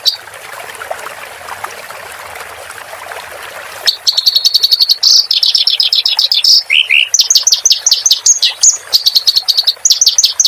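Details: Clamorous reed warbler song for training cage birds. About four seconds of steady rushing noise give way to rapid, loud chattering phrases, with brief lower slurred notes and high whistles mixed in.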